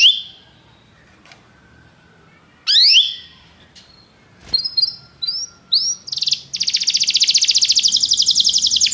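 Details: Belgian canary meant to stir other canaries to sing: a quiet start with isolated chirps, then short rising whistles that build into a loud, sustained, rapidly pulsing trill lasting several seconds.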